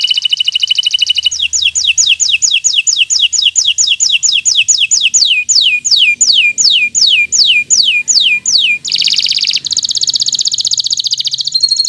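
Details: Bottle-green local canary song used to tutor young birds: a long run of fast descending whistled sweeps repeated about twice a second, then a dense buzzy trill, with faint low hum behind.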